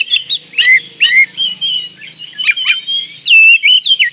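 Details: Oriental magpie-robin in breeding condition singing to provoke rivals: loud varied whistled phrases, sliding notes and sharp clicks in quick bursts, with a faint low hum beneath.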